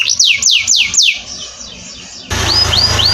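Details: Four bold, swooping downslurred whistles from a canary, a quieter trilling pause, then thin rising whistles over a sudden steady hum; an Indonesian masteran training recording.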